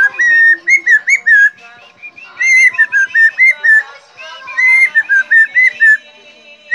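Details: Teased helmeted friarbird kept as a cage bird keeps whistling: two phrases of quick, clipped whistles running up and down, each phrase about a second and a half, separated by short pauses.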